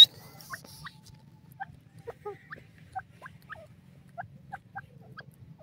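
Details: White partridge (dakni teetar) uttering soft, short chirping notes, often in quick pairs, scattered irregularly over a quiet background with a low steady hum.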